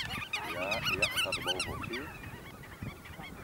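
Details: Black-tailed godwit display and mating, Eemnes, Netherlands, April 8 2012: a burst of fast, twisting, wavering calls for about two seconds, then fading away, with faint low honks beneath.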